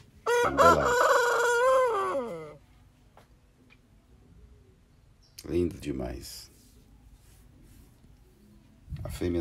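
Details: Índio Urubu rooster kept with its hen at a Brazilian breeding farm, late 2021: one long harmonic crow of about two seconds with rising then falling notes, followed by short clucks and a woman's voice praising the bird.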